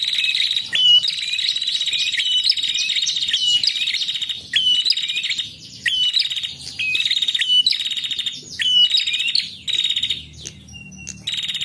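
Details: Calling female prinia, used as a lure for males, gives rapid rattling bursts of high chips roughly every second, broken by brief pauses, across nearly twelve seconds.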